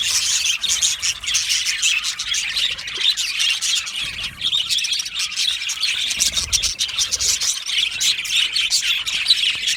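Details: Happy Australian budgerigars in an aviary colony produce an unbroken, scratchy, high-pitched warbling chorus mixed with rapid chirps and occasional squawks.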